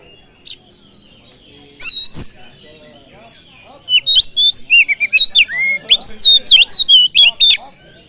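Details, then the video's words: Lure song of an oriental magpie-robin, meant to make other birds aggressive: a few scattered sharp notes, then four seconds of fast, loud whistles, about four per second, swooping up and down. "Pancingan kacer full durasi || SEKALI PANCING BURUNG ANDA LANGSUNG PANAS"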